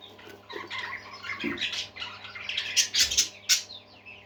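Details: Budgerigars chatter and warble in a lively stream of squeaky twitters and rasping notes, growing louder toward the end with sharp clicky bursts, over a faint low hum.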